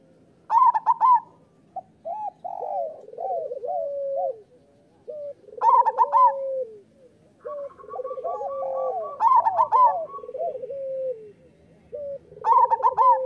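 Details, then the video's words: Local zebra dove master song to make doves sing more; repeated phrases every few seconds, each a loud bubbling burst followed by descending stuttered coos. "Perkutut lokal gacor Suara Masteran Burung Perkutut Paling Ampuh"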